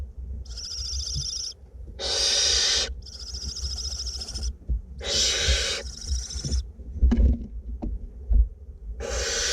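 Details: A pair of barn owlets in a north Glasgow nest box during feeding give drawn-out rasping hisses lasting one to two seconds, alternating softer and louder, with faint scratching and thumps between bursts.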